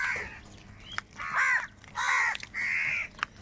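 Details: A large crowd of crows squabbling over food. Drawn-out raspy caws, each about a third of a second long, alternate with brief sharp clicks and quieter gaps.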